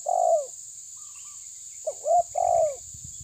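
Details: Spotted dove, the tabir type, calling at a rival with hoarse cooing notes, a long falling coo, then a paired coo. A low rumble comes at the end, with a constant high hum throughout.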